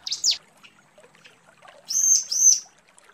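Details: Bar-winged prinia female calling the male: a quick pair of high downslurred chips, then two short clear high whistles about half a second apart.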